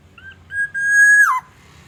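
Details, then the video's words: Black-naped oriole from Aceh, recorded as bait to make other orioles sing: brief lead-in notes, then one long, clear, flute-like whistle held steady before dropping in a swift downward twist, over a quiet background. "Kicauan kepodang emas pikat"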